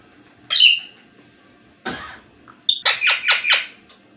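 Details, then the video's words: Ringneck parrot, a talking bird, gives a sharp rising squawk, a harsh burst, then a quick run of five rhythmic chattering notes, heard indoors with faint background hum. "talking parrot | full video | ringneck parrot"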